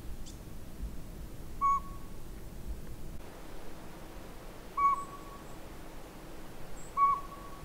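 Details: A northern pygmy-owl calls at Sea to Sky Gondola: three even, hollow whistled toots spaced about three seconds apart over a faint low background hum.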